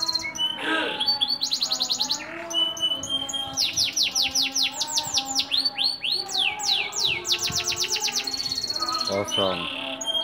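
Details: Local green (bottle-green) canary, a frequent competition winner, sings a long, fast, varied song of high rolling trills, sweeping chirps and rapid repeated notes with hardly a pause.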